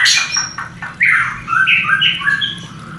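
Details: A white-rumped shama's mating sound, meant to boost breeding desire in a new pair: loud opening burst, then a string of short descending and level whistles at steady intervals.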